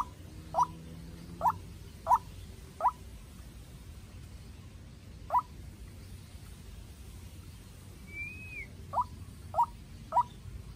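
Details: Decoy White-breasted waterhen, young, in a contest with a wild bird; sparse sharp notes in short bursts separated by pauses, a faint rising whistle from another bird midway, steady low noise.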